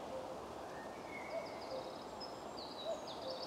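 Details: An owl gives soft, short, low hoots at an uneven pace, roughly one a second, while small songbirds including chaffinch and sparrow chirp high above; a cuckoo, hiding, is also said to be calling.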